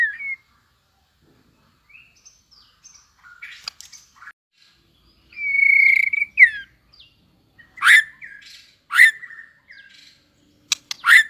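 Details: A young white-rumped shama just coming into fighting form sings loud, clear whistles and sharp falling notes in brief bursts with short pauses between phrases.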